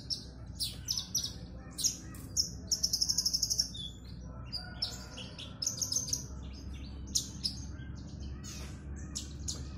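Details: A caged Horsfield's (Javan) bush lark, set out in the sun and about to sing, gives a loud, varied run of high chirps and quick trills, including a rapid buzzy rattle, over a steady low hum.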